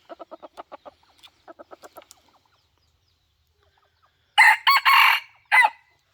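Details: Decoy rooster challenging a rival: a series of soft, rapid clucks, a pause, then a loud, harsh crow broken into several strong bursts.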